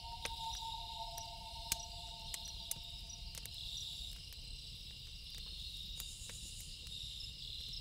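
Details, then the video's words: Loon wailing at night by a campfire: a long, steady, mournful two-toned tone for about four seconds, then it fades out, leaving the high insect drone and sharp crackling pops from the fire. "Loon Calls With Campfire Sound"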